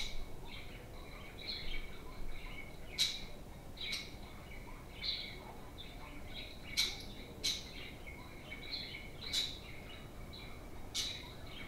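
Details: Playful pet budgerigars chatter at home: a running, wavering warble overlaid with sharp, bright chirps popping out every second or so, sometimes in quick pairs.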